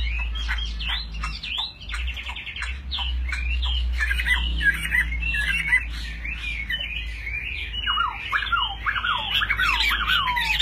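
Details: A captive Chinese hwamei kept as a fighting bird, displaying with its wings held high, sings loudly and in variety: rapid whistled slurs, rising and falling notes and harsh rattling phrases run continuously, over a low steady hum.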